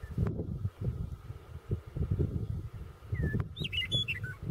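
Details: Roadside Western Meadowlark south of Burlington in Cheyenne County, Colorado, recorded 25 February 2016. After a soft lead-in whistle, a bright cascade of slurred, descending flute-like notes closes the clip over a constant deep rumble of wind and traffic.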